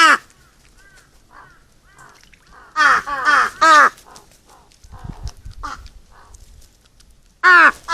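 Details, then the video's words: Crows at a feeding session: several overlapping harsh caws from more than one bird, softer distant caws in between, a low rumbling noise midway, ending with a loud single caw. "까마귀 식사 시간의 즐거움"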